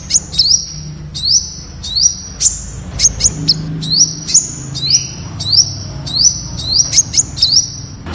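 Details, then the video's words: Temminck's sunbird song of piercing high whistles with short rising and V-shaped inflections and frequent sharp ticks, phrases following closely one after another; soft low background noise. "Tiếng chim Hút mật Sting (Hút mật đỏ Malaysia) ✅Temminck's Sunbird (Aethopyga temminckii)"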